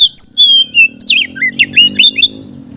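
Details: Oriental magpie-robin song for luring others of its kind: clear sustained whistles followed by quick twisting, slurred notes delivered in a dense, continuous run over a low background hum.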